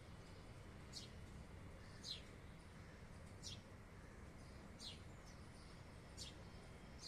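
Crimson-backed sunbird giving thin, high, sharp call notes about every second and a half, over a steady low rumble of background noise.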